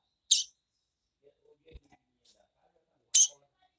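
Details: Female Double-collared seedeater, a calling female, giving two short, sharp, high chip notes about three seconds apart, with faint soft clicks and low thumps between them.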